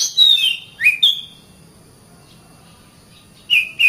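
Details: Oriental magpie-robin, kacer training song for caged birds: a few brief slurred whistles, one swooping upward, followed by a quiet gap and two short falling notes at the end.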